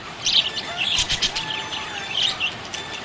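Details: Happy budgerigar chirping: a busy, scratchy chatter of quick high chirps and clicks in short bursts, with brief louder squeaky notes and a faint thin whistle underneath.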